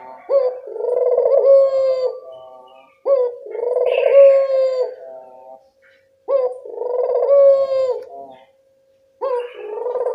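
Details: Lure call of a local barbary dove to prompt answers: four rolling low coos about three seconds apart, each with a sudden rising start and a long flat tail, quiet gaps between.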